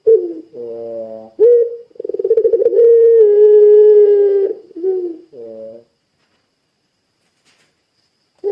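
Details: Puter pelung dove calling eagerly to draw other doves into calling: a short low note, a buzzy tone, then a rolling stutter swelling into a long steady coo, another buzzy note, and then silence.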